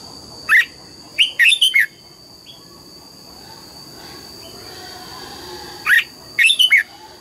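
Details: Red-whiskered bulbul singing in the morning, described as a double-note song like a wild old bird: short loud whistled phrases with sharp up-and-down notes, a pair near the start and another burst near the end, separated by quiet hiss.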